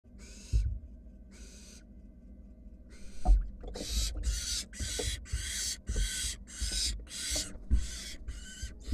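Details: Wild barn owl nestlings huddled in a monitored nest box while a sibling slowly swallows a rat; three spaced hissing, snore-like bursts, then a fast, louder run of about ten harsh rasping hisses, with low thumps of movement.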